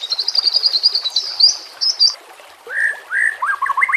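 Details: White-rumped shama song for training captive birds, with a water backdrop: a high rapid buzzy chatter in the opening two seconds, a brief pause, then lower rising whistles and quick stuttering notes.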